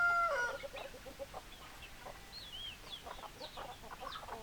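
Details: Chicken calls open with a loud drawn-out nasal note, then fall into soft repeated clucks with thin rising squeals scattered through, over a quiet background.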